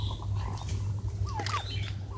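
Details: Domestic turkeys being fed grass on a turkey farm in Savar, Bangladesh; several short, descending whistled notes spaced through the middle and end, over a steady low hum.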